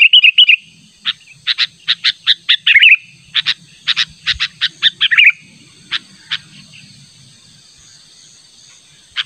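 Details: Sooty-headed bulbul insistently calling out a rival, a natural sound used to lure birds: a brief warble, then a rapid series of sharp repeated chirps with a tumbling phrase, trailing off into a few widely spaced single notes.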